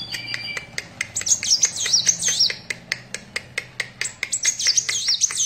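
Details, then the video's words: Thin, very high, rapidly wavering whistles from a Van Hasselt's sunbird in full song, delivered in two bursts, while dry snapping clicks tick along throughout. "Burung Kolibri Wulung / Kaca Gacor"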